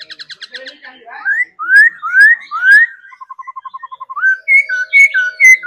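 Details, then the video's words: A caged laughingthrush in daily song training whistles bright rising slurs in a row, then a fast even run of short clipped notes and a closing series of sharp high whistles. "Khứu hót múa đẳng cấp. Luyện chim hót múa mỗi ngày"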